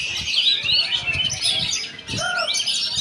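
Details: Oriental magpie-robin delivering a busy stream of high warbled and whistled notes, briefly broken by a lower downslurred note after two seconds.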